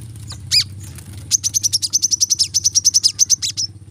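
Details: Brown-throated sunbird song in a training recording for kept birds: one isolated high note, then a steady, fast series of sharp, high chirps, roughly five per second, over a low background hum.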